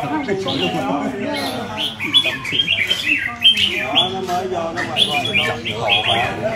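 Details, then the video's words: Red-whiskered bulbul, a kept songbird admired for its fine manner, sings a run of short, bright chirped and warbled notes in quick bursts, with men talking steadily underneath. "Chào mào có nết đẹp mắt được nhiều Ae săn đón !"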